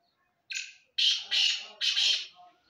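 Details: Black francolin giving a rasping call of four harsh, scratchy notes. A shorter first note is followed by three longer, louder grating bursts with brief gaps between them. No other clear sounds.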